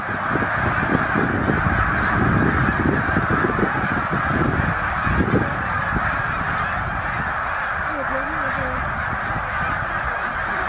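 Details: About 100,000 snow geese stopping at Middle Creek Wildlife Refuge on spring migration; an unbroken mass of honking, heavy low rumbling at first, then a nearer wavering call toward the end.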